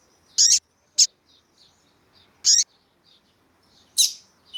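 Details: A female Double-collared Seedeater (Sporophila caerulescens) calls to stir up a male, giving short, bright, high chips at uneven intervals with faint soft notes between them.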